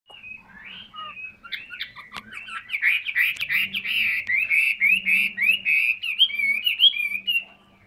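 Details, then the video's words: Caged hwamei of the 'tam hoàng' type, a large, handsome bird that sings a lot. It gives a long, rich run of loud whistled and slurred phrases that rises and warbles continuously, with faint low hum beneath. "HM 227 tam hoàng bộ to đẹp hót rất nhiều"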